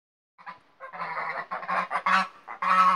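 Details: Pomeranian Saddleback geese, a two-year-old goose and gander out in the sunshine with their five newly hatched goslings from her first clutch; loud, nasal, harsh honks in quick irregular bursts, several overlapping, with brief gaps between.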